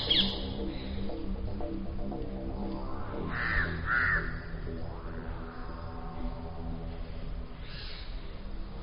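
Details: Crows in a forest mob an eagle owl gripping a rat tightly in its talons, trying to steal the prey. Two harsh, rasping caws stand out midway over steady background music and narration.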